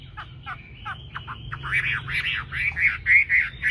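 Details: Chinese hwamei in a dawn song contest, a tame bird: a few burry, harsh notes first, then louder buzzy, slurred phrases ending in clear, repeated whistled notes.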